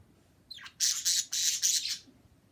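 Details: Two birds recorded February 26: a harsh, broad, noisy squawk burst in four loud pulses of rising intensity, lasting about a second and a half, against a quiet low background.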